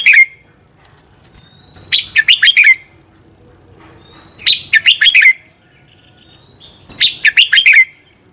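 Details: Red-whiskered bulbul morning fighting song, used to stimulate and train other birds to sing: three phrases of five quick, descending whistled notes ending in a trailing slur, about two and a half seconds apart.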